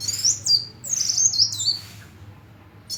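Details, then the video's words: High, thin sunbird chirps: sliding whistled notes that drop and jump in quick succession, then a short silence before another phrase begins. "Kicau Kolibri"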